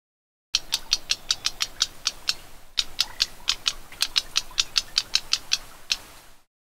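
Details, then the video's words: Black-browed reed warbler giving dry, sharp tick notes, about three a second in an even run, with a brief pause midway, against a quiet background. "นกพงคิ้วดำ (Black-browed Reed Warbler) Voice Call"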